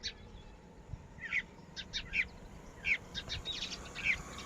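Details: Soft, high chirps from baby Red-wattled lapwings (Titehari), short notes repeated about once a second against steady low background hiss.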